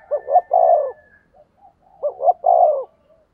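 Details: Two cooing phrases from a decoy spotted dove used to attract wild doves. Each has two quick hoots and a drawn-out descending coo, about two seconds apart, with a faint high whistle at the start.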